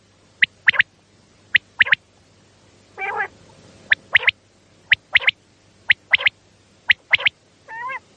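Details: Common quail at night, a call used to attract quail for hunting: a steady series of sharp three-note phrases, one note then a rapid pair, roughly once a second, with two brief nasal harmonic calls between.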